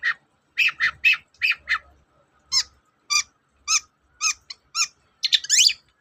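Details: Long-tailed shrike song used as a lure to stir shrikes that are reluctant to sing: harsh, buzzy chattering notes in quick bursts, then a pause and a run of evenly spaced clipped rasping notes ending in a sweeping squeal.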